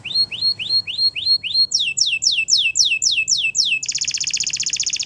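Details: Waterslager canary training song: a run of lower rising whistles, then higher downward-slurred notes repeated about four per second, ending in a fast, even, ringing trill.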